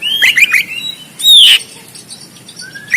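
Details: Oriental magpie-robin singing 'konslet tarung' fighting song, recorded on a phone in Banten, Indonesia for bird training: a quick cluster of wavering chirps, then a loud falling slurred note and a faint thin whistle rising at the end.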